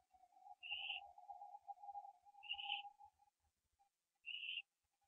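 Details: Barn owl owlet, 15 September 2011, pre-dawn, branching time: three brief rasping rising calls about two seconds apart, laid over a droning hum and light tapping.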